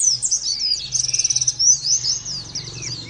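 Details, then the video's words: Caged Oriental white-eye pouring out a fast, very high warbling twitter with quick rising and falling notes and brief trilled runs, against a soft low background hum. "terapi pleci bikin nembak mudah di tiru langsung ngotot bunyi"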